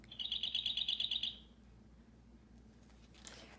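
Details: Dark-eyed Junco, a common bird-feeder visitor: a quick, dry, high trill of about a dozen identical notes in just over a second, then quiet with faint room noise.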